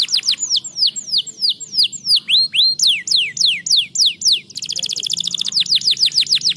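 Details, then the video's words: Singing canary, used to encourage lazy canaries to sing: a long run of quick descending whistled sweeps, some rising notes midway, then a rapid rattling trill and further sweeping notes, steady and loud throughout. "estimulando o chilrear dos canários preguiçosos"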